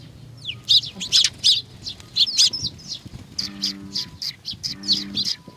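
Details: At Tenmangu shrine in Nakanoshima on 21 June 2020, sparrows approach to be fed, uttering loud overlapping chirps and short rising notes, followed by softer rapid chirping over a low tonal drone.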